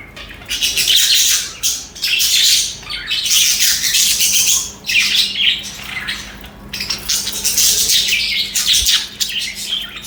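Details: A group of budgerigars (parakeets) sings and chatters continuously: raspy, high, buzzy warbling that swells and fades in long phrases of one to two seconds, with a light steady hum in the background.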